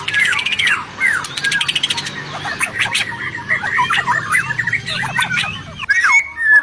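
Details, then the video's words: White-rumped shama song meant to prompt silent captive shamas to reply. Rapid varied phrases of whistles, chirps and fast ticking trills switch quickly, ending in a clear rising whistle, with faint low background hum. "MURAI BATU MACET, STRES Langsung NGRESPON dan Nyaut Denger KICAUAN INI"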